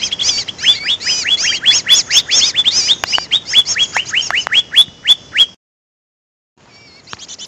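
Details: Greater green leafbird lure call: a steady series of sharply rising whistles, about two per second over busy chattering, stopping abruptly into a second of silence before faint chirps resume.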